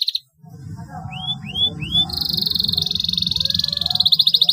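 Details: Canary singing as a lure for stalled canaries: three rising whistled notes, then a fast, buzzy high trill that pulses steadily, over a low background rumble.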